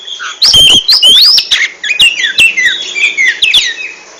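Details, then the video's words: Oriental magpie-robin song in ngentrok style, a rich sequence of bright whistled slurs, rising and falling sweeps and quick chattering notes delivered in bursts with brief gaps. "RAJA NGENTROK!!! Kacer super kicau"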